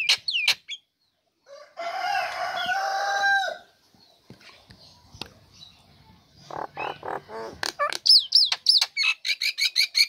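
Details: Captive female Nias hill myna, singing at once when its cage cover comes off, kept to lure lazy birds into singing: sharp whistles, a long harsh nasal call, soft clicking, then a fast run of loud high notes.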